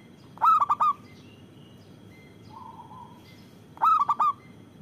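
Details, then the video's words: Loud-voiced local zebra dove, kept to lure and provoke reluctant doves into calling. It gives two bright, stuttering coo phrases, each a quick burst of clipped notes, about three seconds apart, with a softer low hum between them. "Perkutut lokal gacor Suara Besar Bagus Untuk Pikat dan Pancingan"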